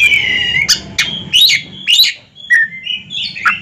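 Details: Caged ringed Oriental magpie-robins duelling in song: a slurred falling whistle followed by sharp chips and bright rising whistles, with a steady low murmur in the background.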